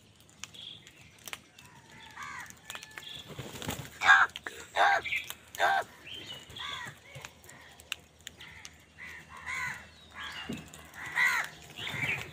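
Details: Crows squabbling with other wild birds for food, angry: a steady jumble of short, hoarse caws from several directions, some louder and nearer, overlapping with background murmur and faint chirps.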